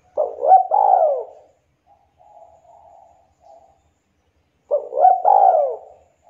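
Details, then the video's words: Local Javanese spotted dove (derkuku), praised for a sweet, sharp voice and played to coax quiet doves into song. Two full cooing phrases, each a short note followed by a longer falling coo, are separated by soft, faint murmured coos. "derkuku lokal jawa super gacor suara merdu tajam,cocok buat pancingan derkuku yg lagi malas bunyi"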